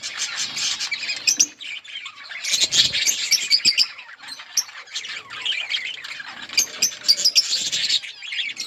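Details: Constant chirping from a budgerigar colony, rapid high twitters and scratchy notes piling over each other in bursts, many birds calling together.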